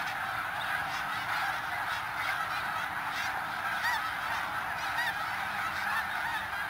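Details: Large flock of snow geese at Middle Creek Wildlife Management Area, Pennsylvania: a dense, unbroken chorus of overlapping nasal honks and yelps, steady in loudness throughout, with a few higher clear notes rising above the din.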